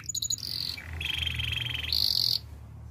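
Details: Canary in song for training: a few high pips, a short high trill, then a long low rolling tour followed by a loud shrill high trill.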